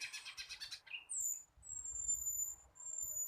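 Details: Young flycatcher still learning its song: a fast rattle of chirps, one lower short note, then long thin, very high steady whistles drawn out over two seconds.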